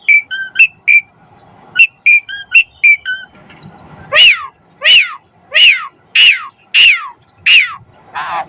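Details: Asian pied starling song used as a training recording for caged birds: clear whistled notes near one steady pitch, then a run of loud descending swept notes repeated roughly every 0.7 seconds, with faint low background hum.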